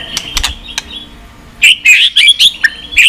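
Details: Pet white-rumped shama's song, used to excite weaker shamas. After a quiet start with faint clicks, a string of bright, quick whistled notes and twittering chips arrives in rapid bursts during the last half.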